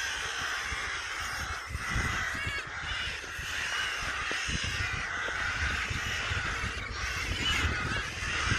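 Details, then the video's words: Many crows, which flew in from all over near a house, mob a sparrowhawk that has caught one of their flock; harsh, overlapping caws sound continuously from many birds at once, with steady rough background noise throughout. "crows trying to scare a sparrowhawk off one of their captured mates."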